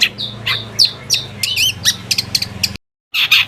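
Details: Long-tailed shrike song used as a lure to provoke other shrikes into answering: harsh buzzy notes and squeaky chirps, some with warbled rising-falling whistles, in a quick uneven series, then a brief silence and another raspy burst.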